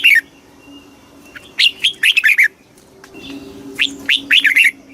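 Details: Rapid 'kích bổi' song of a Red-whiskered bulbul, bursts of bright, sliding whistled notes over a steady low hum, with a few softer chirps between phrases.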